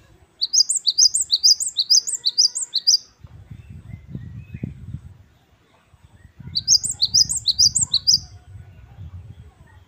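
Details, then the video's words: Great tit (gelatik batu wingko) repeating wucit-wucit kristal song: a long run of bright, high double notes rising and falling, a pause with low rumbling noise, then another run of about seven similar notes. "Gelatik Batu Wingko Gacor | WUCIT2 KRISTAL | Great tit birds | Parus Major"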